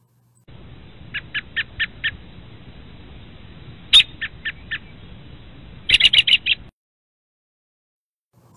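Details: American Robin calls, a Kentucky backyard bird: five short, evenly spaced sharp notes, then three more, ending in a fast excited chatter of clipped notes over faint hiss.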